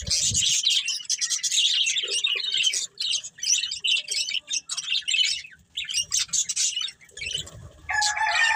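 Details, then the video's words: Breeding pair of budgerigars giving rapid high chirping chatter in bursts separated by brief pauses, ending with a harsher squawk. "Cute Budgies Chirping Sounds"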